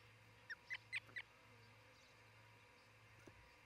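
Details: An osprey at a nest in Charlo, Montana, on the morning of 1 July 2018, gives four short, sharp whistled chirps about a quarter-second apart, then falls quiet over a low steady hum.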